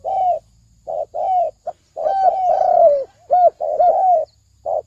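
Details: Spotted dove giving thổ sấm đồng style coos as a lure for males and females; short clipped coos lead into a long, sliding, wavering coo, then further short notes, with a faint low hum.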